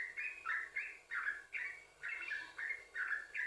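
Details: Yellow-vented bulbul song, used to draw other bulbuls into singing: several rich, gurgling double notes, each slurring up then down, spaced about half a second apart.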